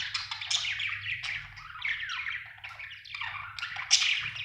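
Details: Budgerigar chirping in a continuous run of busy, warbling chatter, with quick rising and falling squeaky notes and brief bright sharp accents, sounding like a lively pet bird indoors.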